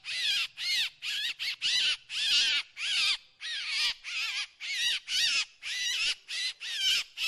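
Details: Drongo heard on a lure recording: rapid, uneven bursts of scratchy, squealing calls, some clipped short and others drawn out, about fifteen notes in quick succession.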